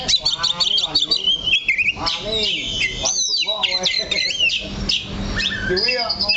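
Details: Oriental magpie-robin (kacer) singing while gripping one spot on its perch; high, rapid whistled phrases sweeping up and down, with a man's speech underneath.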